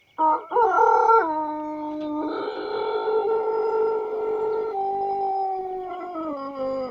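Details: White Pelung chicken giving one long, drawn-out crow: a sharp rising start, then sustained harmonic tones that step down in pitch and hold for several seconds before a final lower drop.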